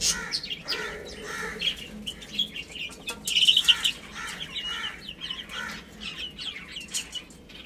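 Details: Baby chicks playing and eating, with short high peeps scattered through the recording, some in quick bursts, mixed with dry broadband clicks and rustling from pecking and scratching.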